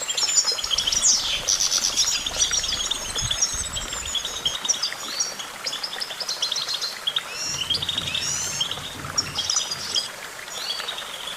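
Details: Goldfinch singing a fast, continuous twittering song of high, tinkling notes with buzzy trills and short rising whistles, delivered almost without pause against a faint low rumble of background noise.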